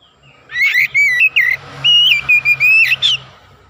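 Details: Oriental magpie-robin singing prolifically, intended to stir other magpie-robins: a continuous run of loud whistled notes, some steady and some rising sharply, over a faint low hum.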